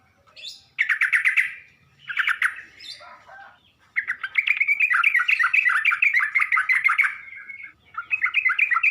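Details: Sooty-headed bulbul lure recording, played to provoke other bulbuls into responding: dense bursts of rapid, buzzy chattering notes, a short phrase, a pause, then a long unbroken run of fast warbled chatter.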